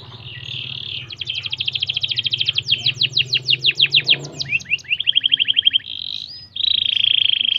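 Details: Canary song meant to stimulate other canaries: fast high trills, then a sequence of sharp, sweeping down-slurred notes repeated several times a second, a quick buzzy roll and a steady high rattling trill, over a faint low hum.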